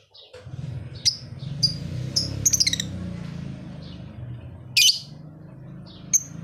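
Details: Lively singing lovebird in Leuwimunding: sharp high squeaks and short sliding chirps every second or so, one loud harsh burst near the end, over a steady low rumbling background noise.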